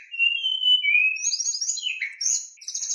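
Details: White-rumped shama song aimed at getting other shamas to sing: long clear sliding whistles followed by higher buzzy, warbling notes.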